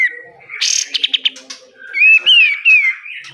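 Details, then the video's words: Pied triller song meant for training caged birds: a brief burst of quick chips followed by loud, wavering whistled notes rising and falling. "BESETAN KATEM, kapas tembak gacor, BUNYI KAPAS TEMBAK"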